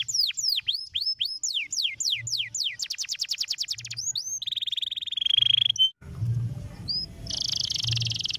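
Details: Canary singing a song used to stimulate other canaries: falling whistled notes speed up into a dense buzzy trill, then a steady high rattling tone, before a brief break and a noisier, rougher phrase.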